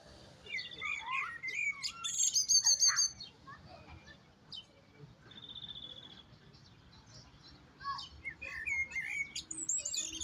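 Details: European goldfinch singing a lively, varied twittering song of quick chirps, rising and falling notes, and short trilled and buzzy phrases in bursts, with a low background hum.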